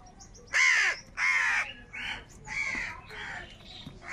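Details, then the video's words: Several crows squabbling over food, caw after caw in an uneven run, harsh and nasal, the first two loudest and later ones softer and more distant. "Crow Birds Unity Anger and Sound | All types of Crow Sounds | কাকের ডাক Crow Sound Loudly"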